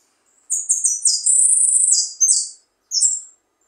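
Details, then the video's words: Singing goldfinch, known locally as jilguero, gives rapid high twittering notes building into a sustained metallic trill, followed by a short warble and a final isolated chirp after a pause. "jilguero pipinas meta pito ,sonando"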